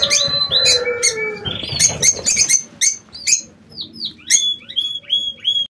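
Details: King quail kept in an aviary: mixed chirps and a buzzy rattle at first, then a series of short, high whistles that fall in pitch, repeated about once a second.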